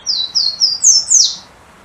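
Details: A Golden-crowned Warbler, a restless bird that keeps hopping constantly, sings five thin, high whistled notes in a quick run, each slurring downward, the last dropping lower.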